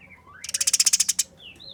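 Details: Eurasian tree sparrow fighting, giving a harsh, clear 'nyerecet' chatter: about a dozen dry rasping pulses in under a second, with thin whistled notes just before and after the burst.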